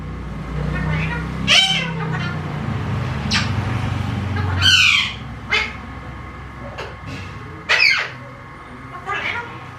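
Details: Alexandrine parakeet kept as a talking bird, letting out loud raspy squawks and harsh bursts at irregular intervals, with low rumbling background noise throughout.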